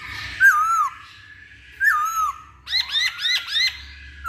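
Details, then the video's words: Lure song of a masked laughingthrush, played to provoke other birds to sing: two drooping whistled notes about one and a half seconds apart, followed by a quick run of four ringing, bent chattering notes. "Pancingan Poksay Hongkong"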